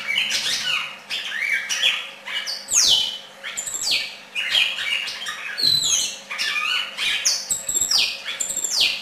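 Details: Red-crested cardinal singing: a lively, nearly unbroken stream of loud whistled slurs, falling sweeps and scratchy chattering notes, in phrases separated by brief breaks, against a quiet background hum.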